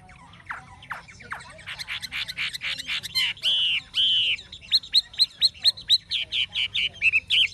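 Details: Caged Chinese hwamei, an old bird caught wild, with a true forest voice: rich loud song of rising and falling whistled phrases, then rapid repeated sharp notes, about two per second, over a low background hum.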